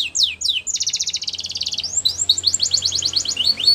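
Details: Canary song meant for young canaries in training: quick downward sweeps, a fast rattling buzzy trill, then an unbroken run of high rapid slurred notes.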